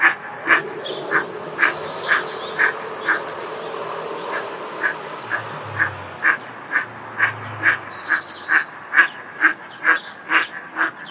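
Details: Eastern spot-billed duck at a breeding pond, calling frequently; a long, steady series of rasping quacks about twice per second, some louder than others, with faint thin high bird notes and a low rumble behind.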